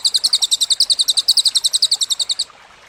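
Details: Cililin song from a masteran for training contest songbirds: a quick series of sharp, high, doubled chirps, roughly four per second, stopping abruptly after two and a half seconds.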